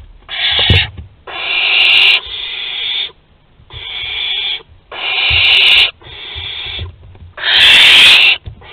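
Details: On 22 August 2020 at a barn owl nest in Théding, France, a food delivery sets off a run of harsh hissed screeches, about seven bursts under a second each. The final burst is louder and broader.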